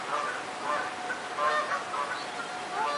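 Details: Daytime geese by a stream giving a few loud nasal honks, some rising at the end, spaced irregularly across a short stretch, backed by constant rushing water.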